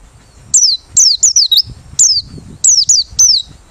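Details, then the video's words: Merapi white-eye singing with beak open, a lure bird: a lively run of high sweeping whistles, each falling then rising slightly, given in tight pairs and triplets across the clip. "Pleci Merapi Ngalas Losssdol,cocok buat pikat~pancingan || Buka Paruh"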